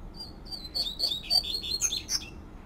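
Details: Rusty-collared seedeater, wild bird singing the flute-like "tui tui" song: a smooth series of clear whistles descending gently, then several higher, sharper notes and a buzzy ending.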